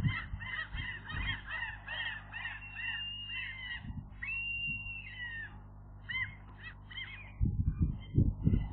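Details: Gull chicks on the day they first fly, 7 July 2022: a fast series of thin, arched, rising-then-falling squeals, repeated several times a second in overlapping runs, with a longer drawn-out note midway and low thumps and rumbling underneath.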